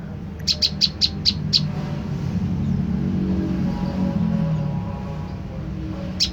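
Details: Lure call of the prenjak lumut tailorbird to provoke a reply: six quick, sharp, high-pitched chips at the start, then low rumbling background noise, with one more chip at the very end.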